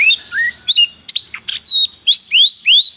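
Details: Canary training song: varied whistled phrases of rising and falling slurs, separate notes spaced a few tenths of a second apart, ending in three long upswept whistles.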